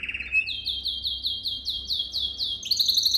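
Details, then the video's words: Canary song for training young canaries: a short rapid trill, then clear high upswept notes repeated about four times a second, ending in a faster bright rattle. "Most powerful song for training Canary"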